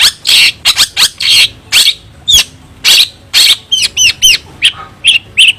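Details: Singing cendet, or long-tailed shrike, delivering harsh, wide-band shrieks, then a run of quick looping whistled notes. The phrases come in rapid succession, some loud and clipped, over faint background hum.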